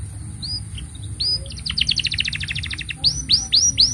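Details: Canary in full song, a long master song for training young canaries: upward-swept whistled notes, a fast buzzy trill of repeated syllables, then a series of rising slurred whistles.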